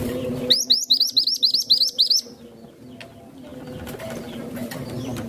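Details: Masteran bird singing a quick run of about nine high, sharp, upslurred whistled notes, bright and evenly spaced, lasting under two seconds, then fading into a low steady hum.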